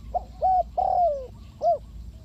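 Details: Lure spotted dove from Ninh Thuận used in dove trapping gives a brief coo phrase: two short hoots, one long falling coo, then a final rounded note, over a low hum.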